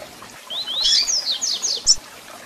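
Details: Double-collared seedeater song played to excite and warm up a caged bird: a rapid, high run of rising and falling whistled notes lasting about a second and a half, ending in a sharp chirp.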